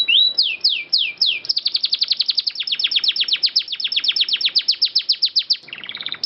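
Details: Long-rolling canary, clear-voiced, recorded as a training master: a few sweeping whistles lead into an extended, very fast train of descending notes, ending in a lower twittering phrase.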